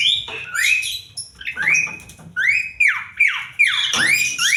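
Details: Kreasi song of an Asian pied starling: loud rising and arching whistles repeated in quick succession, interspersed with scratchy notes and brief pauses, over a faint low background hum.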